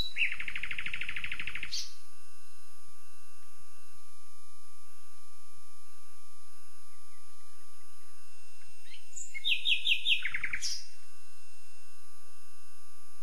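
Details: Common nightingale singing: a harsh, buzzy burst lasting under two seconds, a long pause, then a short rapid trill dropping in pitch, over a faint steady hum.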